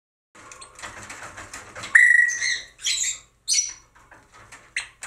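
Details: Male White-fronted Amazon, playing with a male Little Corella and feeding it regurgitated food, gives a loud, clear whistle held for a moment, then harsh, buzzy squawks, over soft scratching and tapping of beaks.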